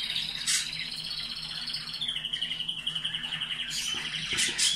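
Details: Caged canaries in a breeding setup, song played to stimulate them: a long steady trilled line near the upper-middle register with rapid repeated notes, a few sharp high chirps breaking in.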